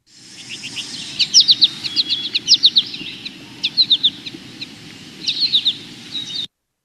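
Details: American Goldfinch in Kentucky giving its year-round soft, high "po-ta-to-chip" flight call, sometimes with an extra note or two, in quick bursts every second or so over a low rumble; a Chipping Sparrow also calls.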